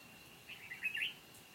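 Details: Decoy red-whiskered bulbul singing competitively to lure wild birds into a trap, 29 July 2020: one brief bubbling, warbled phrase of tumbling notes against a steady high insect whine.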